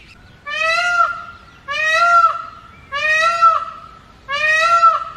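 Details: Close-up male Indian peafowl, wild, perched on a house top at early morning, gives four strong drawn-out honking wails roughly 1.3 seconds apart, each swelling then dropping sharply at its close.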